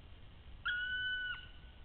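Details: Black woodpecker in Latvia, 8 August 2013 at 09:45, gives one drawn-out, clear whistled note of about two-thirds of a second, holding steady pitch then dipping at the end, over faint hiss.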